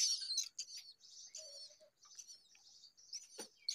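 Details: A hungry myna chick gives a fast, continuous stream of thin, high, wavering chirps, soft and run together, broken by a few sharper notes.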